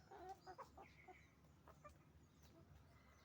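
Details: Chicken farm with roosters and hens calling: a quick run of clipped, tonal clucks in the first second, then a drawn-out squawk and sparser clucks fading into low barn hum.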